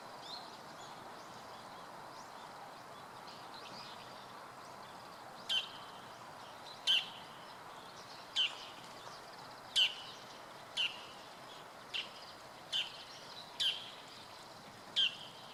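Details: Bull-headed shrike giving about ten sharp, high, clipped calls at roughly one-second intervals over steady background hiss, after several seconds of quiet.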